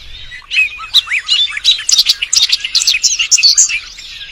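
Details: Male bird singing for a mate: a rich, rapid stream of varied chirps, slurred whistles and squeaky notes, growing busier and higher as it goes on.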